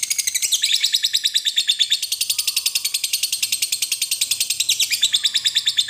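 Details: Lovebird giving the long chattering ngekek song used to stimulate other lovebirds to sing: a fast, even run of harsh, high trilled notes, roughly three per second, lasting the whole stretch with no pause.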